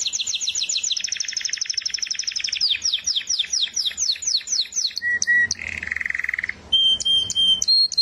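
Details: Canary singing a dense high rolling trill, then hooked repeated chirps, followed by flat whistled tones, a low buzzy burst and high steady notes.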